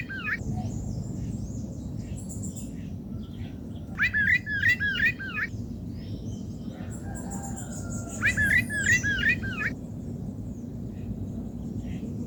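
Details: Rufous-bellied thrush singing at a garden feeder in Brazil, two clear melodious phrases of looping, fluted notes separated by a pause of a few seconds, with faint high chirps and low background hum between them.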